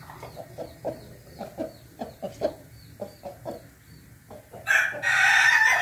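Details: An Ayam Ketawa rooster with a red comb gives its laughing crow, a rapid staccato run of short, hoarse syllables about three per second, cut off by a sudden rush of noise; recorded 20 May 2024.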